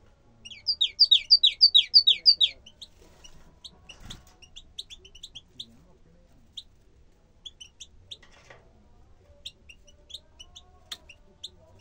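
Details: Bukhara tit opening with a fast, regular series of about nine bright, falling notes, followed by quieter scattered high chirps from other birds for the rest of the recording.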